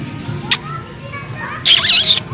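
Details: A parrot in Abbasia Park gives a harsh, high, wavering screech lasting about half a second near the end, with soft voices and park noise in the background.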